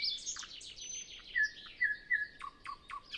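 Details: A brief nightingale phrase on a windless early morning before sunrise, other birds not yet singing: scratchy high chirps, then three pure drawn-out whistles, ending in three quick notes that drop sharply. Recorded with a Zoom F6 and Sennheiser MKH 8040.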